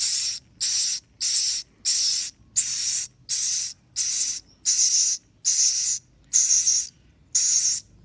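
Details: Young swiftlets giving steady hissing, raspy calls, each burst about half a second long, repeating at roughly one-second intervals through the whole stretch.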